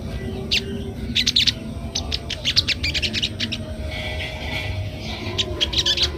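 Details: Sogon, the crested jay, in ngeriwik-style song meant for training young birds: clustered high, clipped chirps fired in rapid volleys, separated by short gaps, with a constant low rumble underneath.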